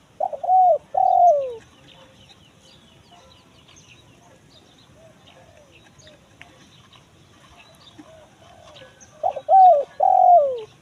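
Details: Spotted dove giving 'kuk 1 mersik' style coos, played to attract wild forest birds: one phrase of soft low coos opens, a long quiet stretch with faint background noise follows, then another phrase closes.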